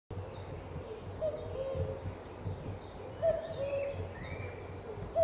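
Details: Common cuckoo calling on Cannock Chase: a few soft two-note descending 'cu-coo' calls spaced irregularly, with thin chirps from other birds higher up and a steady low rumble underneath.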